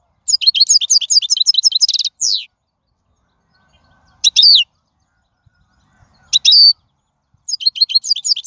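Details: Wild European goldfinch song used as a tutor for young birds: two seconds of rapid liquid twittering and a drawn nasal note, then separate bright jangling phrases with pauses between them, ending in more twitters.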